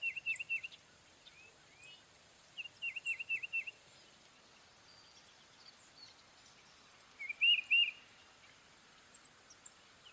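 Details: Tufted titmouse repeating a clear whistled phrase of four or five quick down-slurred notes, heard twice early on, followed by thin high chips and another bird's softer calls in a quiet outdoor setting.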